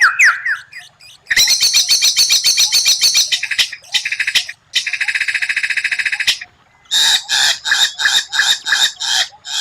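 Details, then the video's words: White-rumped shama master song with rare, strange-sounding phrases. Harsh buzzy rattles come in fast repeated bursts, separated by short silences, after a brief opening of descending whistles. "Masteran murai batu tembakan langka, suara aneh tapi memukau lawan"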